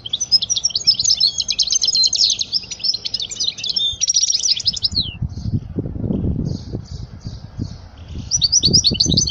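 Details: Tutor song of a European goldfinch for teaching young birds: long, dense, liquid twittering phrases with buzzy trills, a short pause, then more twittering over low rumbling noise.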